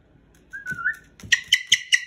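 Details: Pet Moluccan cockatoo indoors, singing while playing with its owner: a short rising whistle followed by four quick, evenly spaced bright notes.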